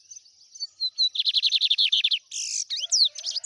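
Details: Lined seedeater performing trem bala style song: a few high whistles lead into a rapid burst of descending buzzy notes, ending in a harsh rasp and quick looping whistled slurs.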